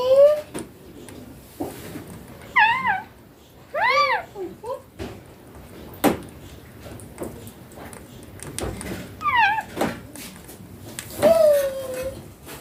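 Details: Indian ringneck parakeet, green and young, talking in a small room: scattered arched, speech-like phrases amid clicks, taps and knocking sounds.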